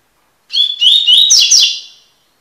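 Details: Double-collared seedeater (Sporophila caerulescens) singing in the tui tui style, a recording used for song tutoring (encarte): one high, bright phrase of quick whistled notes stepping upward, ending in a buzzy trill, with no background noise.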